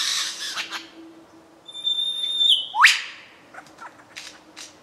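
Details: A mature male lyrebird sings under dark rainforest canopy in Dorrigo National Park, giving part of his repertoire in a loud, varied run: rasping bursts, a pure held whistle, then a fast rising sweep, followed by scattered sharp clicks and chips.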